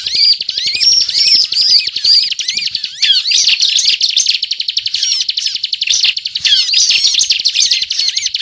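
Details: Bar-winged prinia, known locally as ciblek, delivering unbroken 'ngebren' song for trapping: looping whistled phrases give way to a dense stream of rapid high chips.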